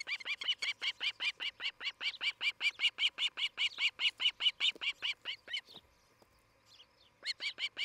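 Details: Osprey at a nest in Charlo, Montana, on 11 July 2018, giving a rapid run of shrill, whistled chirps, several per second for about six seconds, a brief pause, then the series resumes.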